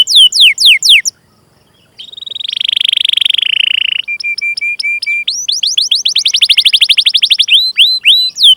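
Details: Long rolling canary song used as a lure for canaries in training. Falling whistles, a gap of silence, a dense buzzy roll, a thin level tone with clicks, then a rapid trill of upswept notes.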